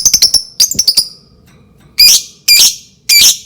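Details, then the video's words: Lovebird sounds used to provoke other lovebirds into singing: quick bursts of sharp high chirps, then three loud harsh screeches about half a second apart. "pancingan burung lovebird"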